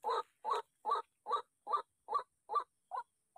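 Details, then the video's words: White-breasted waterhen provoked by a decoy's sound during bird trapping, uttering a rhythmic series of harsh, nasal croaks, each brief and evenly spaced, slightly weakening toward the end. "ruak-ruak nya merasa terusik dengan kehadiran pikat mumi!!!"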